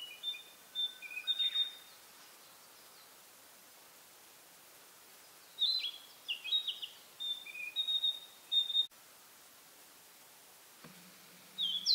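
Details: Narcissus flycatcher singing with all its might from a pine branch, spring, pine forest, territorial. Several bursts of sweet, rising and falling whistled phrases are separated by short silences, then the song resumes after a longer pause.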